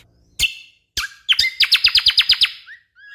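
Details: Orange-spotted bulbul master song for tutoring contest birds: two sharp chirps, then a fast run of about nine identical clipped high notes repeated evenly, ending in soft rising whistles.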